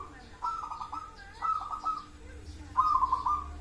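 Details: Local zebra dove song in three short bursts, each a quick run of stuttering, bubbly coos at a mid pitch, separated by pauses with low background rumble.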